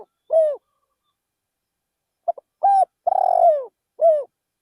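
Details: Decoy spotted dove calling in a rice field; a trailing final coo, a pause of nearly two seconds, then a full phrase of short pips, a level coo, a long wavering descending coo and an ending coo.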